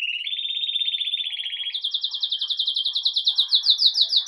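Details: Red mosaic agate Belgian canary in campainha song at day's start, live: a low rapid trill climbing abruptly into a higher, slower series of ringing pulses about three per second, faint room sounds beneath.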